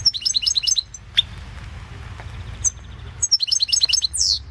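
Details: European goldfinch singing in a 2016 online world song championship recording: twittering high phrases open and close the passage, with a lone sharp note in the middle and a steady low hum underneath.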